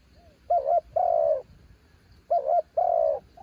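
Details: Branch-decoy spotted dove, a mountain bird, delivers two loud coo phrases, each a quick double-wavering note and then a sustained falling coo, against a soft low background hum.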